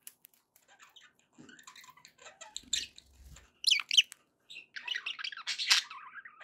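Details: Happy pet budgerigars: quiet scattered twitters that build into louder rasping squawks and warbled chatter toward the end.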